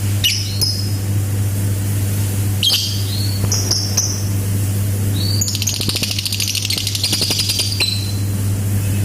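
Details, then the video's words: Lovebird voicing ngetik notes followed by ngekek: scattered high thin chips and squeaks, then a sustained two-second run of fast, rattling, harsh chatter, a steady low hum beneath. "BURUNG 🐦LOVBIRD SUARA NGETIK TAMBAH NGEKEK"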